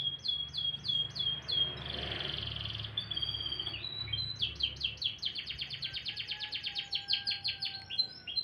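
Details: Morning song of a canary, a bright, varied run of quick repeated chirps, a sustained buzzy whistle, then a long fast trill of rising notes.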